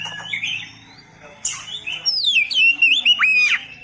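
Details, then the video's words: Kacer, or oriental magpie-robin, from a masteran for beginners: soft warbles at first, then a loud run of swooping whistles with sharp drops and upslurs over about two seconds. "masteran Burung Kacer Khusus Pemula"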